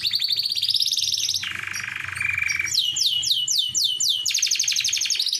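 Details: Canary in full song to lure a female: a high fast trill, a lower buzzy rolling section, then quick repeated downswept notes and another rapid trill.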